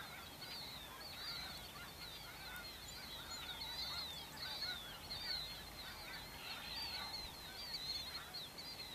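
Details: A large mixed flock of snow geese and Ross's geese feeding during spring migration across the Dakota prairies; dense chorus of thin, high, squeaky yelps and quavering calls, constantly overlapping, beneath a lower murmuring honk background.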